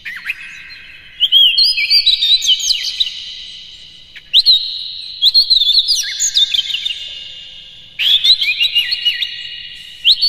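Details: Kacer, the Oriental magpie-robin, delivering rapid-fire mimicry in song used to excite other kacer: three strong bursts of choppy chattering notes and whistled slurs, roughly every three seconds, each fading into a ringing echo.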